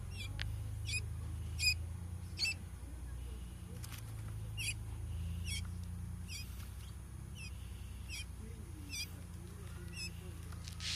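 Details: Domestic quail chick two days after hatching, incubator-hatched, kept at home: short high thin peeps repeated roughly every half to one second over a steady low hum, with faint rustling.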